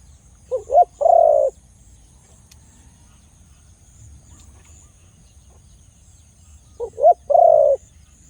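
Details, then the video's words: Dove, called a Khmer dove with a big voice, gives two loud cooing phrases about six seconds apart. Each is a short stuttered lead-in followed by a longer, slightly falling coo. The background is quiet apart from a faint high hiss. "The sound of Khmer Dove and big sound / លលកខ្មែរសម្លេងធំ"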